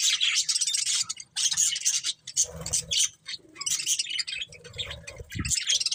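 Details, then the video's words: Pet budgerigars in a loud stretch of rasping, buzzy chatter and high twitters, coming in dense bursts separated by short gaps, with soft knocks and rustling below. "Beautiful Budgies Chirping Sounds"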